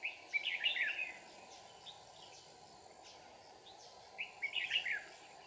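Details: Trapping red-whiskered bulbul in Kim Bôi, Hòa Bình, with fighting song: a rich, rapid warbled phrase at the start and a similar one about four seconds later, with faint softer notes between and a background drone.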